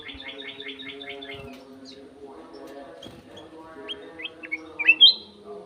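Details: A rapid series of repeated even chirps opens, then after a pause a sooty-headed bulbul delivers rising, liquid whistled notes that climb to a loud final flourish, all over a low steady hum.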